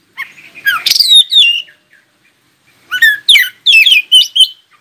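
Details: Oriental magpie-robin singing to prompt other magpie-robins to reply: a burst of rich whistles and rasping notes, a pause of over a second, then a second run of fast, sharp, varied phrases.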